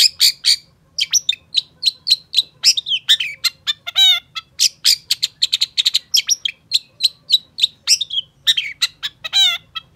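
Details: Long-tailed shrike in full, continuous song used to coax quiet shrikes to sing: a dense stream of rapid high chips, sweeping whistles and buzzy harmonic notes that barely pause.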